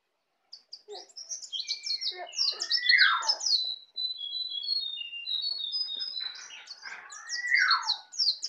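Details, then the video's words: Near-continuous high twittering and chattering from a young native Bali white-eye practising the ngeplong song, with sweeping downward whistles at the start and near the end. "Pleci Bali baru Belajar ngeplong"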